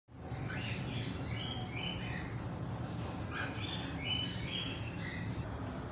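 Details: A pair of cockatiels, one charcoal and one white-faced, gives short, scratchy chirps and squawks over a steady low hum.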